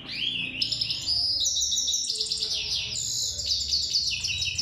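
A goldfinch sings a fast, continuous run of bright, tinkling twitters and liquid trills, jumping quickly between high notes with no pauses.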